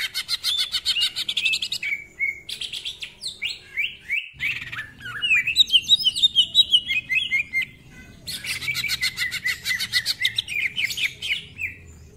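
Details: Lively greater green leafbird firing off close-packed, rough-voiced song full of mimicry fillers: long stretches of harsh rapid chatter alternating with clear rising and falling whistled phrases, about three notes a second.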